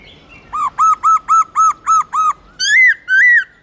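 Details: A black-throated laughingthrush repeats seven identical short arched whistles in a fast even series, then gives two longer rising-falling notes. Song intended to stimulate pet laughingthrushes into singing.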